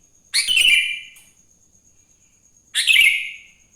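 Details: Morning singing of a sooty-headed bulbul, played to prompt other bulbuls. Two short, bright, buzzy chirped phrases arrive about two seconds apart over a faint constant high tone.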